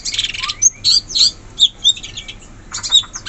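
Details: Wild forest sooty-headed bulbul: a burst of rough chatter, then clear high whistled notes spaced about a third of a second apart, then more chatter.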